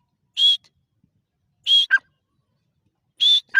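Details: Grey francolin calling: loud, shrill, slightly rising notes repeated about every 1.4 seconds, each sometimes followed quickly by a shorter, lower note. No other sounds.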